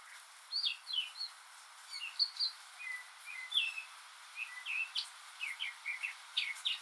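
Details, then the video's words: On a rainy day a lone northern mockingbird sings its mimicking song, copying other birds and sounds: brisk varied phrases of chirps, slurred whistles and sharp upswept notes in rapid succession, over a steady soft hiss of rain-like noise. "マネシツグミの「雨に唄えば」Mockingbird's "Singin' in the Rain"!"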